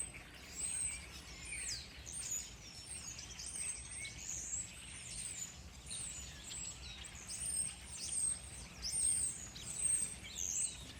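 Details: A dense chorus of high, thin chirps and quick twittering notes from several birds calling at once overlaps continuously over a soft outdoor hiss, recorded in Texas, USA.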